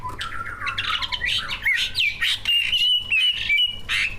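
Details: Greater green leafbird song from two captive competition birds, packed with tutored mimicry and played to stimulate other birds: quick tumbling warbles rising in pitch, then a series of sustained bright whistles broken by short chips.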